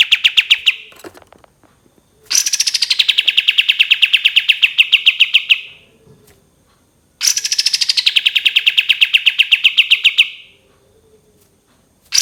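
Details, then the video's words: Cream-vented bulbul delivering long shooting song bursts. A brief trill is followed by two extended runs of rapid, evenly spaced sharp notes, each opening high and then settling lower for about three seconds, separated by a short pause. "SUARA BURUNG KAPAS TEMBAK KATEM NYAUT GACOR DOR 100% AMPUH❗️KAPAS TEMBAK TEMBAKAN PANJANG"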